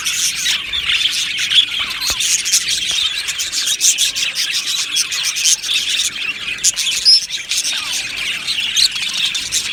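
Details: Several happy budgies chatter at once, a rasping, twittering wall of high chirps with a few clearer whistled squeaks breaking through partway.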